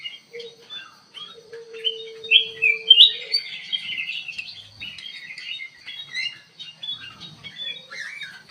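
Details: Kutilang emas bulbul singing actively in an aviary as a lure: dense chirping and whistled phrases, with a steady low tone heard during the first three seconds.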